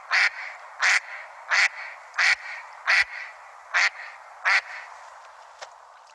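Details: A Mallard (Anas platyrhynchos) gives seven loud, harsh textbook duck quacks, roughly one every two-thirds of a second, then a fainter eighth note, with quiet otherwise.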